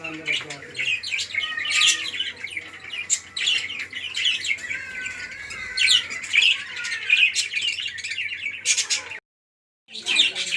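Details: A breeding colony of budgerigars chatters together in a busy mix of warbling, scratchy chirps and sharp squawks.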